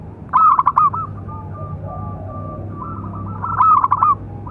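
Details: Big-voiced local zebra dove singing to train and provoke other doves: two strong, rapidly pulsed coo phrases at start and end, with a drawn-out soft coo between and a faint background hum.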